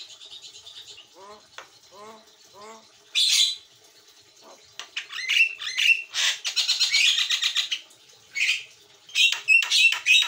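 Javan myna in full song: a few soft, falling whistles, then loud harsh squawks and rapid buzzy chatter in bursts, with scattered clicks between.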